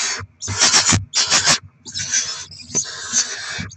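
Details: Barn owl nest on 7 February 2024 during rodent deliveries and feeding of the young; pulsing, rough hissing bursts mixed with scraping, rustling and clicks from movement close by.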